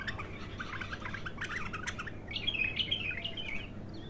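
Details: A raw, untrained bulbul singing in its first outing: busy run of short chirped and warbled notes that climbs higher in the second half, over steady low hum.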